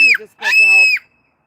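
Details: Pet Moluccan cockatoo on a patio crying out in concern after a small child fell: a short harsh shriek, then a long, loud, sustained scream of about half a second, indoors-close, ending abruptly.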